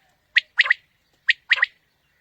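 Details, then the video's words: Quail call used to lure quail for morning hunting: two phrases, each a sharp short note then a quick double note, clear and whistled, about one second apart, no other sounds. "Quail Calling 2020 | Batair Ki Awaz suba ki shikar Ki liye"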